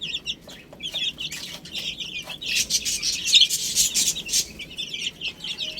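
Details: Baby hens nibbling spinach chirp in quick high notes, quieter at first, then rising into a louder mix of peeps and pecking taps in the middle.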